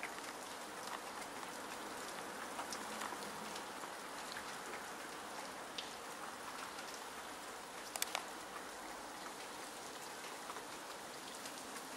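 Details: Steady hiss of rain or driving snow with occasional drip clicks, and no animal voices.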